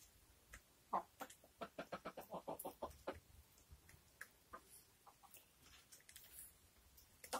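A chicken gives a quick run of about a dozen sharp, short clucks over two seconds, then scattered softer clucks and clicks follow.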